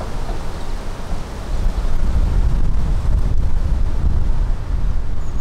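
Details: Strong gusting wind roars against the microphone with a deep low rumble, and no animal calls can be picked out.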